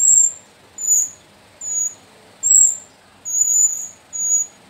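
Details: Young sooty-headed bulbuls from Mount Sumbing's slopes, kept as a group of four, give six evenly spaced shrill squeaks, each about half a second long, over soft hiss.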